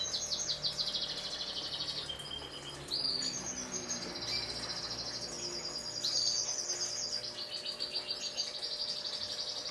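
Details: Black-red canary alongside a yellow canary: high, rapid trilled phrases switching between buzzy rolls and level chattering runs. A steady faint background hum.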